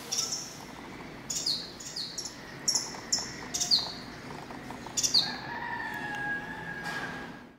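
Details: Purple-banded sunbird visiting a 6th-floor apartment balcony garden in central Dar es Salaam, Tanzania, giving sharp, high, thin chips in irregular clusters, some doubled, over a soft steady background hum with a brief lower tone near the end.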